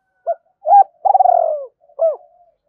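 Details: Spotted dove cooing as a decoy to lure wild birds into a fight: a short coo, a rising arched coo, a long pulsing trill sliding lower, and a final arched coo.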